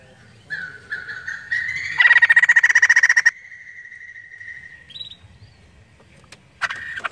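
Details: Song of a crested laughingthrush played to stir other birds into singing: short whistles climb into a loud rapid pulsed trill, then a long thin steady whistle fading out, with a brief higher note and a final burst.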